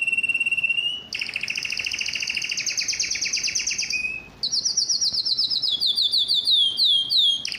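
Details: Yellow canary pouring out song, a steady whistled note giving way to a long fast trill, then high descending chirped notes repeated in quick succession.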